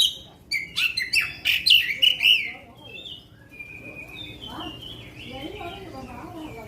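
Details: Magpie-robin singing in a long-shot style, known as tembakan panjang: a burst of sharp, bright whistled notes and quick trills in the first two seconds, then softer, lower warbling phrases that drift and fade.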